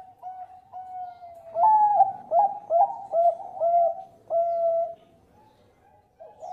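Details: Bangkok-type zebra dove singing actively, used as a lure to make other birds sing, with a big voice and melodious phrasing: a run of loud, mellow cooing notes, each with a short upward flick, repeated about twice a second after softer opening coos.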